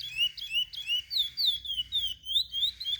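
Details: Sung to teach young birds, this chestnut-bellied seed finch phrase has slower, drawn-out whistled slurs, mostly falling, some rising, spaced about three a second, clear and sweet.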